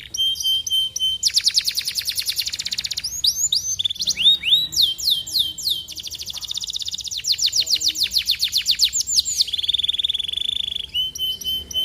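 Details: Canary singing to stimulate other canaries to join in: long rapid trills of repeated high notes, buzzy rolls and sweeping whistled phrases, changing tour every couple of seconds.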